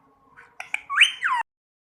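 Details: Rose-ringed parakeet giving two short clicks followed by a single loud, rising then falling screech.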